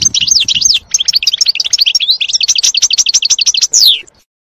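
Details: Forest-dwelling European goldfinch in full song: a busy, fast stream of chattering, tinkling notes that rise and fall, closing with a clear descending slur before silence. A soft low murmur sits underneath at the start.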